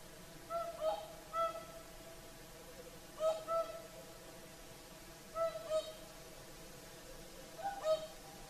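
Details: At sunset on the shore of Finland's Lake Saimaa, whooper swans trumpet in paired, ringing honks, grouped in bursts about every two seconds, with quiet gaps between.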